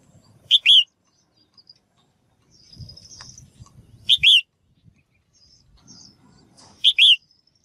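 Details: Female bird calls aimed at stimulating males to sing: three loud phrases, each a quick chirp and a descending harmonic note, spaced about three seconds apart, with faint twitters and low rustling between.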